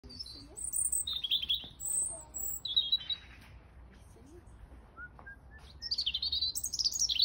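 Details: European robin singing on a Sunday morning: high, thin, liquid warbling phrases, each a second or two long, separated by short pauses, with a few soft lower whistles between.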